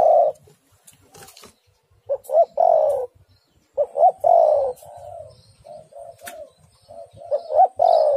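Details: Female spotted dove calling a male. Repeated phrases of two quick rising notes and a long descending burry coo, with softer murmured coos between and faint high bird chirps.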